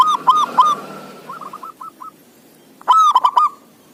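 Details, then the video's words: Zebra dove singing actively, a sound for coaxing reluctant doves: a ringing stuttered phrase, a trail of softer clipped notes fading out, then a fresh loud phrase near the end. "Suara Perkutut gacoor pas buat pancingan perkutut yg malas bunyi"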